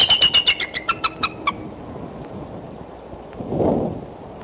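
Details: Perched female bald eagle near the Decorah nest on April 3, midday, gives a quick run of high, thin chittering peeps slowing and dropping in pitch over one and a half seconds, followed by a low rumble.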